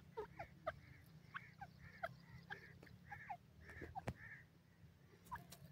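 Partridge chicks give short, falling chirps, several per second in an uneven stream, over a steady low hum.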